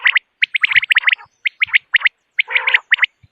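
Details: Common quail calling in the morning in quick liquid triplets, sharp clipped notes repeated about once a second, with a rougher burst partway through.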